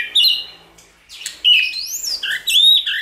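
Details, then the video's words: Song of a white-rumped shama used to prompt singing: scattered phrases with a high upward-sweeping whistle and varied chattering notes between short gaps. "Kích Chòe lửa hót nhiều giọng, Hót Căng lửa,chòe lửa đánh đuôi kích cực nhạy.luyện chòe lửa hót"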